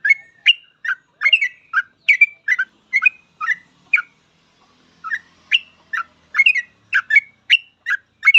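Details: Sooty-headed bulbul, a 'full ropel' master song for teaching other bulbuls: a dense run of quick, bubbly whistled notes, a brief pause near the middle, then a fast resumed burst.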